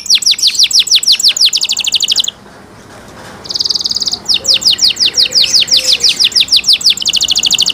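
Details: Canary with cenkok-style song, fast high trills of falling sweeps broken by a short pause and a buzzy, steady tone, then resuming rapid repeated whistled notes.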